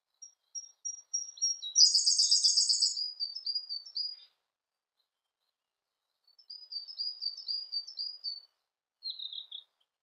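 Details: Siberian blue robin: thin, evenly spaced high notes speed into a loud, fast trill, then soft, high chattering phrases after a pause.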